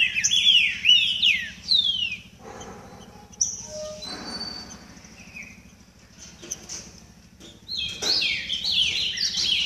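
Green-winged Saltator warming up with loud, rich whistled phrases that slide downward, in bursts at the start and end with a quieter gap between; a faint low hum underneath.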